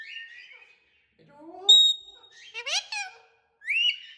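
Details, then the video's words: Pet talking parrot making natural sounds: brief breathy whistles, a sharp pure whistle with high overtones, then a run of harsh, buzzy speech-like syllables and a final rising whistled squeal, in a small indoor room. "Talking parrots making natural sounds"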